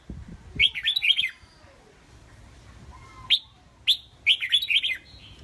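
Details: Caged red-whiskered bulbuls kept as competition songbirds give short bright warbled phrases of quick rising and falling whistled notes, two bursts separated by a pause of near silence.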